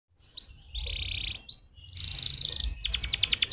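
A canary sings fast, high phrases: quick upward sweeps, a buzzy rolled trill, a bright ringing roll, then rapid repeated chips at about fifteen per second.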